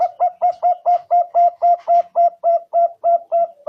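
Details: Zebra dove (perkutut), a vigorous local or Bangkok-type singer, used as a trapping lure. It gives a steady, rapid run of about fifteen clipped coo notes, roughly four per second, evenly spaced.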